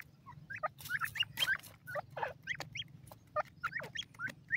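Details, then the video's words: Busy chorus of grey francolin chicks, many quick rising chirps and high peeps tumbling over one another, backed by a soft low hum. "white teetar ke bachay,partridge bird soundd"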